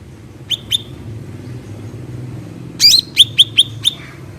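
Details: Natural black-headed bulbul song: two soft clipped notes, a pause, then a bright upward flourish followed by a rapid series of short sharp whistles, faint low rumble underneath.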